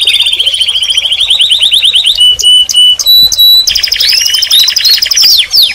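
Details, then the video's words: Canary song of rhythmic rolling trills, then piercing flat whistled tones held about half a second each, then sweeping swooping notes and rapid chatter, loud and shrill. "Canary Singing And Calling - Chant et appel des Canaries - غناء الكناري وندائه"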